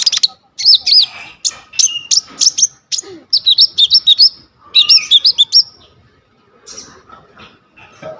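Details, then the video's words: Coconut lorikeet in full, varied song ('gacor full isian'), captured on a vivo Y21 phone as training material for kolibri ninja birds: dense, rapid strings of shrill, twisting high notes and chirps, then quieter scattered sounds. "KONIN GEACOR FULL ISIAN 99% COCOK BUAT MASTERAN KOLIBRI NINJA TROTOL/IJOAN"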